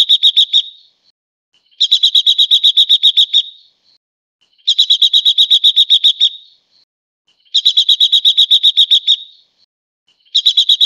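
Silver-eared Mesia giving bursts of rapid, even, high chattering notes, each lasting about a second and a half and repeated roughly every three seconds, with silence between.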